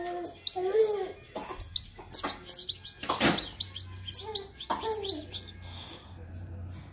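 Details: Young European goldfinch kept as a companion bird, giving thin, high chirps and short squeaky notes repeated through the clip, while a person repeatedly urges it on in French.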